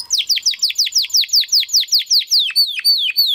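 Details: Male Timbrado Español canary from rated parents singing a training song meant to help other canaries: a steady series of sharp downward-sweeping notes, about four per second, ending in higher, slower hooked slurs.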